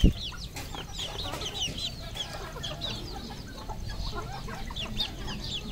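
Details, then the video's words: Red junglefowl flock kept on a farm in Cambodia: a busy mix of high peeping notes and soft clucks, opening with a brief loud knock, over heavy low background noise. "red junglefowl farm Cambodia"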